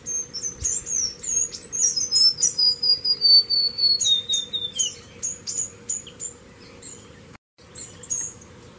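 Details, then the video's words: High, thin descending song of a White-rimmed Warbler, its notes stepping down in a long slurred run. Sharp, high chip notes come in rapid irregular bursts, about two a second, over a faint constant low drone. "Cantos Del Arañero Silbón"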